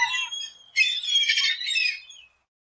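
A gull gives a harsh, raspy squawk, then a longer, grating cry that trails off after about a second and a half.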